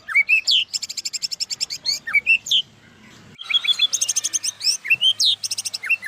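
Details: White-rumped shama in lavish, full-repertoire song: clear rising whistles alternating with very fast high metallic trills, a short pause, then more whistled upslurs and trills.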